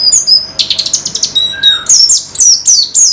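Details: Therapy recording for caged white-eyes (pleci): high thin notes, then a burst of fast ticking chirps and downward-slurred whistles, about three and a half notes per second.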